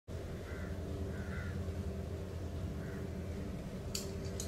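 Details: House crows (Corvus splendens) at a car park on Marina Bay Island, Lumut, Perak, Malaysia, 22 November 2017 around 18:15, give a few short, hoarse caws spaced irregularly over a steady low rumble, with two sharp clicks near the end.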